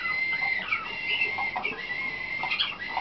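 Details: Slavujar canary, a nightingale-type song canary selected for competition, in training in 2013: a steady, level whistled tone held throughout, overlaid with quick chirps and short warbled notes.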